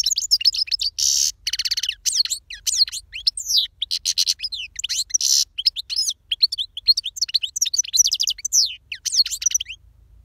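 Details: European goldfinch singing loudly and continuously: rapid liquid twitters, slurred whistles and two buzzy nasal bursts woven into a long, energetic chirping stream.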